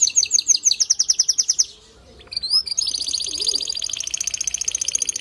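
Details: Male canary singing to prompt a female to build her nest: a fast series of high, clipped whistled notes, a brief pause, then a dense, rapid trill of sharp high chirps, with faint low background hum.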